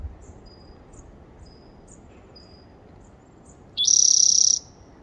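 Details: After a few seconds of faint, thin high whistles from other birds, a spotted towhee, recorded 30 April 2021, bursts into a single short, loud buzzy trill introduced by a quick lower note.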